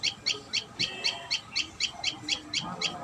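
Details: Common tailorbird at its nest calling in crisp, evenly spaced high chips, about four per second, against quiet background.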